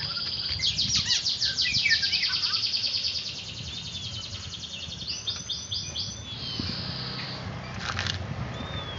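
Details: Kacer, the oriental magpie-robin, during a training session: rapid, dense trills of repeated high notes that later return as a short burst of looping whistles, with quieter thin whistles between and faint background noise.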